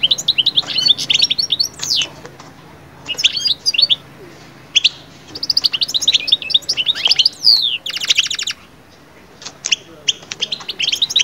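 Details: European goldfinch singing, played to lift birds out of moult into summer breeding mood: a dense, fast, liquid twittering of high tinkling notes and trills in long phrases, broken by short pauses and one harsh buzzy burst.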